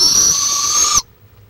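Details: Barred owl in Florida, recorded by a live camera on March 23, 2015: a loud, harsh hissing screech lasting about a second. It holds steady and stops abruptly, followed by quiet.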